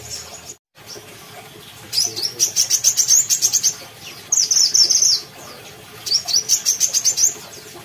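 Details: Brown-throated sunbird from Kalimantan singing: three bursts of rapid, high, thin twittering trills, each about one second long, with short gaps between.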